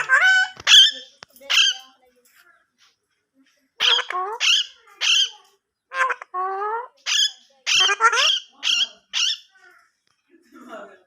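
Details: Indoor parrot speaking Urdu/Hindi: high, raspy, speech-like syllables delivered in short groups separated by silences, including several upslurred nasal words and clipped chattering notes near the end.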